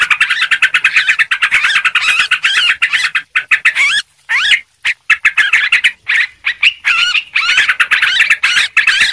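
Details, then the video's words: Sooty-headed bulbul lure call used to attract birds: a dense, continuous stream of loud, bubbling whistled phrases with rapid looping up-and-down notes, repeating almost without pause, as if several birds chattering at once. "suara pikat burung trucuk ribut"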